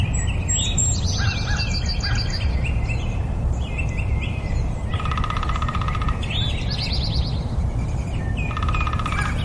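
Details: Nightingale song with varied phrases: fast trilled chirps, sliding whistles, and two long buzzy pulsed rattles around the middle and end, with other birds chirping faintly and a steady low noise throughout.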